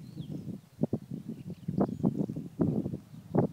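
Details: Black grouse in the eastern Ore Mountains, 3 April 2016, captured with an iPhone 4 through a spotting scope: dense, low, throbbing bubbling with sharper accented pulses, with a faint higher bird note.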